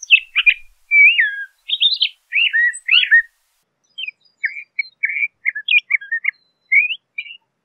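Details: LeConte's thrasher song: a long series of jumbled whistles, slurs and chips. Loud looping phrases come first, then softer, choppier notes scattered through the second half.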